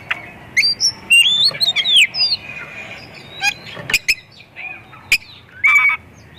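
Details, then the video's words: White-rumped shama song for luring other shamas to sing: varied rapid whistled slurs and arched notes, sharp clicks and a flat whistle near the end, dense and lively over background hiss. "Kacer gacor full isian pancingan burung Kacer"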